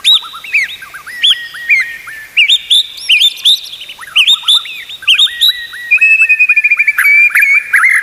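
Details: White-rumped shama song used to teach other shamas: clear up-slurred whistles in short bursts, varied high chirps, then a quick evenly repeated series of rising notes toward the end.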